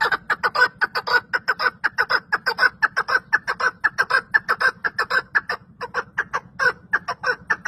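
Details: A partridge calling, said to call 34 times in a run: harsh, clucking chuk notes about twice a second, building into a steady rhythmic run over a low hum.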